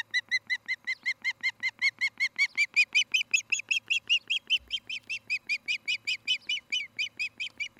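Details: Evening at an Osprey nest in Charlo, Montana, on a nest camera, August 2018: a long, steady volley of shrill whistled chirps, about three per second, rising slightly in pitch and intensity midway.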